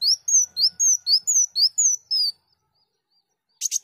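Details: Sunbird song recorded to train songbirds: a quick regular string of high rising-and-falling whistles lasting two seconds, then silence and a closing burst of harsh chips.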